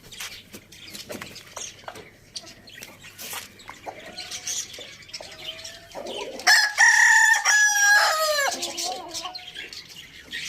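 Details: Rooster in a farm village where roosters feed on tomatoes; after quiet clucks and chirps, a loud rich crow bursts in for about two seconds, then trails off into short clucks.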